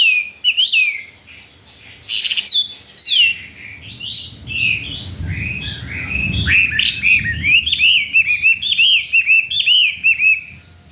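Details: Chinese hwamei, just four days in its cage and wanting to breed, pours out varied loud whistled phrases with sharp upslurs and warbling runs, a brief pause midway, then a rapid continuous trilled warble with low rumbling noise beneath.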